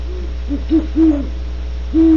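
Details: Great horned owls hooting at Starr Ranch, California: scattered deep, slightly falling notes, one owl answering another, with quiet gaps and a low hum.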